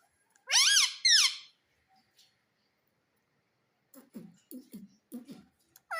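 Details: Pet Indian parrot, said to say "Mummy": two loud, harsh, rising-then-falling screeches, a pause, then a run of five low, speech-like syllables in quick succession, ending with a brief high squawk.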